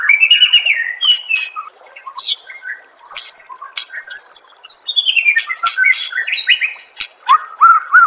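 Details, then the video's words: Song of a white-rumped shama (murai batu) used as a master recording for training caged birds: whistled phrases interspersed with sharp clicks, then a lively cascade of descending notes and rattles toward the end. "murai batu anda dengar suara MASTERAN burung seperti ini"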